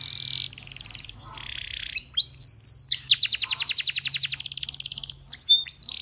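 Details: Belgian canary singing as if inviting other canaries to join, a varied song of high buzzy phrases, fast trills of repeated notes and sweeping whistles, with a rapid rattling trill near the middle.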